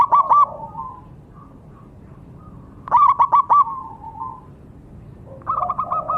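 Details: Three bursts of zebra dove song, each a quick cluster of bright stuttered coos trailing into a soft drawn note, separated by pauses of about two seconds.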